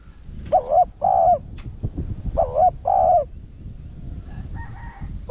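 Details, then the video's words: 'Rặc Đồng' voiced spotted dove cooing to draw in wild doves. Two double phrases of wavering then steady coos. A fainter, different tonal call follows near the end over background noise. "Cu gáy Thúc giọng Rặc Đồng kích bổi siêu nhạy/kích cu rừng nhanh về/bổi nghe nhanh gáy"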